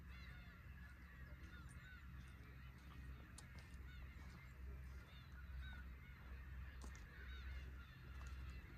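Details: At a fishing port in Imabetsu, Aomori, a flock of Black-tailed Gulls gives frequent nasal mewing cries, several birds at once, over constant deep surf noise and wave wash.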